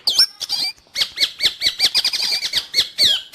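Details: Long-tailed shrike singing, meant for training caged birds or luring wild ones; rapid repeated chattering notes, roughly a dozen quick arched chirps in a run, opening and closing with sharper whistled slurs.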